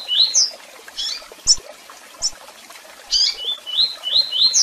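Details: Tui tui song style from a double-collared seedeater, with chirps and calls: an opening rising whistle pair, scattered sharp chirps, then a fast series of four upslurred whistled notes.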